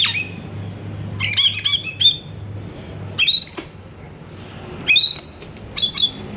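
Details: Lure song of an actively singing Oriental magpie-robin: clusters of sharp chips and rising whistles separated by quiet gaps of one to two seconds, over a low steady drone.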